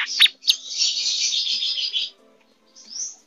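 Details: Brown-throated sunbird in breeding condition: two sharp high notes lead into a dense, buzzy, very high trill lasting about one and a half seconds, followed by a thin rising whistle.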